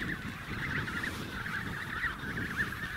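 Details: An emperor penguin at Snow Hill gives a steady, warbling, trumpet-like call that wavers in pitch without a break, over a low rumble of wind and colony noise. The bird seems distracted by another penguin.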